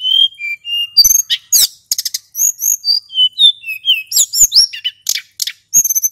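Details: Lure recording of a male hill blue flycatcher in full rolling song: level and slurred high whistles alternate with rapid sharp chips and twittering bursts, almost without pause.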